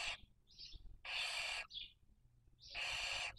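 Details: In the 2023 breeding season at a nest webcam in Cabañeros National Park, Spain, a Barn owl raising young gives three loud rasping hisses about every second and a half, with brief softer wheezes between them.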